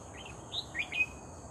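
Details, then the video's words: Red-whiskered bulbul, caught while bird trapping, giving a brief run of three or four short whistled notes, the last ones louder and sharply upslurred, over steady background hiss. "MERBAH JAMBUL GACOR"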